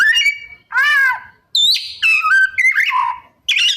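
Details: Kacer, the Oriental magpie-robin, in lively 'isian' song of copied phrases: a whistled slur, a harsh buzzy downward burst, then a string of clear stepped whistles falling and rising, with short pauses between.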